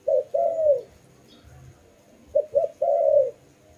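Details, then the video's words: Dove, apparently kept as a tame bird, giving low mellow coos: a short note and a long falling coo, a pause, then two quick clipped notes leading into another drawn-out descending coo. "Lovely dove/ lovey sounds"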